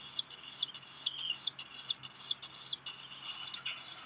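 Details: Black guillemot chick, hatched 29 June, at Seal Island National Wildlife Refuge, Maine, USA, on 13 July 2021 around midday, hearing a parent arrive with food: high, shrill, wheezy peeps about every half second, rising more continuously toward the end.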